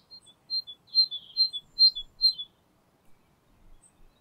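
A great tit gives its high, ringing two-note song, a bright higher note dropping to a lower one, repeated quickly about five times before fading.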